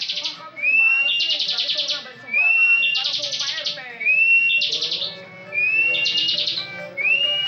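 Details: A frequently winning contest bar-winged prinia, kept caged, delivers ngebren song: a bright rising whistle leading into a rattling high buzz, phrase after phrase roughly every one and a half seconds.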